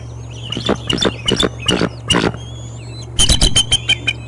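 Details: Bald eagle at the Decorah North nest in early morning on 25 April 2021, giving loud, harsh, squealing chatter notes repeated about every half second, then a faster burst of piping notes, with songbirds faintly behind.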